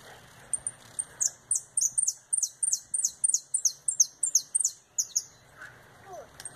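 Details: Retinido-style canary song, fast 'virada', sung by a bird returning from molt: after a couple of high clicks, a steady train of about sixteen bright, bell-like descending notes, roughly three per second, then stopping; quiet background otherwise.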